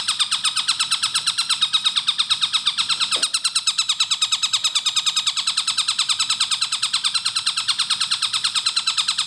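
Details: Clear, rapid training track of a Javan kingfisher: continuous harsh rattling series of quick identical notes, roughly three each second, steady and unbroken for the whole stretch, a faint knock around three seconds in.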